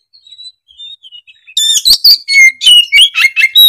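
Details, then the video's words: Oriental magpie-robin warming up with thin quiet whistles, then breaking into loud, rich, fast song of sharp whistled notes, buzzy chatters and slurred phrases in quick rhythm. "Kicauan kacer gacor emosi bongkar isian"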